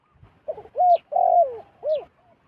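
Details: Wild zebra dove approaching a decoy bird. It gives a burst of rolling coos: a short note, two arched notes and a longer descending coo, with a faint high chirp and otherwise quiet background.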